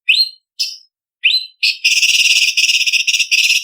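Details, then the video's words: Blue-winged leafbird (cucak cungkok) in a contest-training recording of the tembakan style. Three short, sharp rising whistles open, then a long run of rapid, harsh, chattering buzzy notes without pause. "Masteran Cucak Cungkok Istimewa ~Isian Kasaran Pedas Variasi ~ Tembakan Masteran Burung Lomba"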